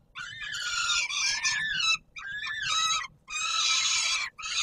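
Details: Loud, rasping wails from a peregrine falcon at feeding time, Palace of Culture and Science, Warsaw, 17 July 2022; three drawn-out cries of roughly a second each with short pauses, slightly wavering in pitch.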